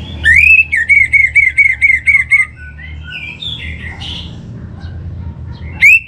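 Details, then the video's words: Orange-headed thrush singing as a lure for kept birds: a rising whistle followed by about eight evenly spaced slurred notes, then softer chattering and another rising whistle at the end, over a low hum. "Trbaik Buat Pancingan Burung ANIS MERAH Agar Gacor"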